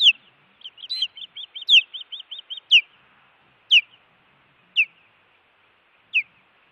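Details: Osprey at a camera-watched Montana nest with an intruder present, 16 June 2017: a rapid rattle-like string of high piping notes mixed with sharper chirps, then four loud down-slurred chirps about one second apart.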